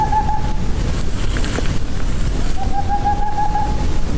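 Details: Boreal Owl, a species found in India only in parts of Jammu & Kashmir and Himachal Pradesh, giving a strange call: two rapid, even trills of hoots at a steady medium pitch, the first short, the second about a second long, with a pause between.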